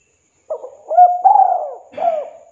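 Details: Spotted dove giving a 'kuk 2' call that summons a rival, used as a lure: a short low coo, then a sliding note and a long drawn coo, ending in a falling final coo with faint low rustling.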